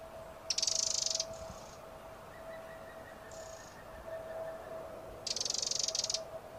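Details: Two loud, grating, high rattles from a Eurasian wren, about a second apart from a faint short note, with a steady low hum in the background.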